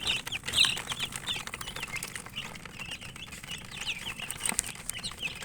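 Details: Chicks (murgi) chirping while eating: a steady chorus of short high peeping notes, some rising and some falling, overlapping from several birds, with clicking and pecking noises throughout.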